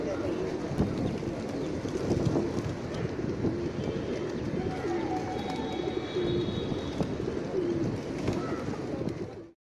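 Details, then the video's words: Hordes of native pigeons flocking to feed on grains and drink at Sankey Lake, a manmade tank in Bengaluru, Karnataka, India, with morning walkers around; dense overlapping low cooing from many birds, steady crowd murmur, voices and distant traffic. "Pigeons at Sankey Lake"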